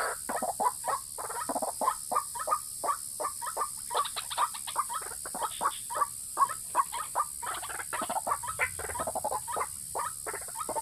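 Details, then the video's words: Used to lure males and females, a white-breasted waterhen gives a fast, loud run of clipped croaking notes, close to three per second and fairly uneven, continuing throughout with a light hiss behind. "pikat burung ruak ruak jitu memikat jantan dan betina"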